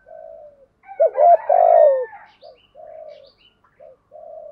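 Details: Spotted dove urging-coo phrase used when training a decoy bird: soft distant coos, then a loud quick double hoot and a long falling coo, with faint higher chirps from other birds overhead.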